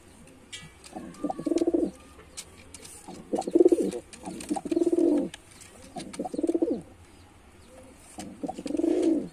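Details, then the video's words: White male pigeon in a performing display, giving five rolling, pulsed coo phrases spaced about every two seconds, each a low burbling swell lasting under a second, with quiet rustling between phrases. "Male Pigeon Super Performance"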